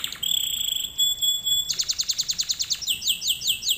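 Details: Canary lesson song: two long pure whistled tones, then a fast repeated trill, ending in quick upslurred chirps.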